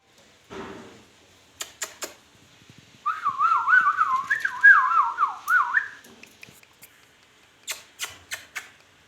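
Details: Talking ringneck parrot crying: a wavering, warbled whistle that swings up and down around one pitch for about three seconds, framed by short clicks and knocks before and after.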